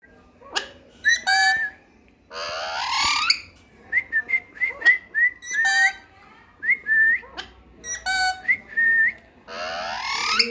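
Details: Parrot giving a series of clear whistled notes, short rising and falling phrases repeated several times between bursts of harsh, noisy squawks.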